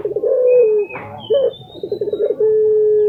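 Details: Lutino Barbary dove kept in Indonesia, calling strongly: a rolling coo ending in a flat low tone, a short upward note, then pulsed beats and a long level hum, over a thin high whistle from another bird.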